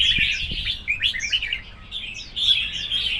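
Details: Red-whiskered bulbul singing contest: bursts of clear whistled slurs and chirps, some sweeping downward, with a slight dip in the middle and two dull knocks at the beginning.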